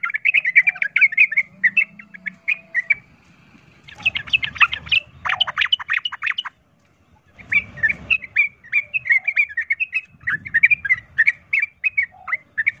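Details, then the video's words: Provoking fight song of a sooty-headed bulbul: lively runs of short warbled notes, a dense loud burst midway, then more spaced chirps, over faint low background hum. "pancingan trucukan ROPEL TARUNG ini bikin trucuk lain seketika ikut EMOSI tarung"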